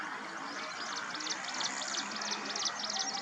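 Yellow-eyed babbler giving quick bursts of high, thin chattering notes, several per second, over a steady rushing background wash.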